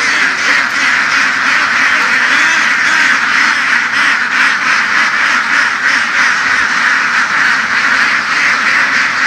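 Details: Vietnamese field-herded laying duck flock from the western region; continuous, rough quacking from countless birds swells slightly in rhythmic pulses across the whole stretch.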